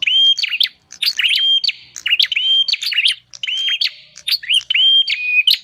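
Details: Bar-winged prinia call meant to draw in wild birds: repeated phrases of a steady whistled note ending in sharp clicks, about five phrases in under six seconds.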